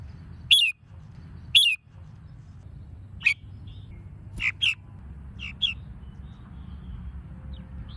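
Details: Red-whiskered bulbul singing as a lure to stimulate competition singing; two loud bright chirped phrases about a second apart, then softer scattered notes over low steady background hum.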